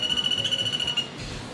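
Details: Common Flameback in Singapore giving a high, fast, even trill of ticking notes lasting about a second, the call that signals one or two flamebacks nearby; soft music underneath.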